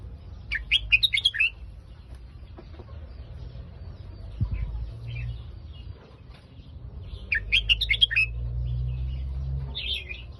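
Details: Caged red-whiskered bulbul in the Phetchaburi line of song, giving two short rich warbling phrases of chirpy whistled notes about seven seconds apart, with low rumbling background noise and quieter gaps between.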